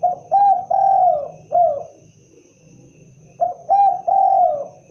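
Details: Spotted dove repeating its cooing phrase twice, about three seconds apart. Each phrase has short opening coos, a long drawn middle coo and a falling final note, over a quiet low hum.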